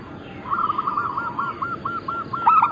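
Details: Zebra dove, local Indonesian bird of Bangkok-crossing type, singing actively for a bird-luring and training recording: a rapid string of short, hollow cooing notes at even pitch, speeding into a louder rolled ending, over steady background hiss.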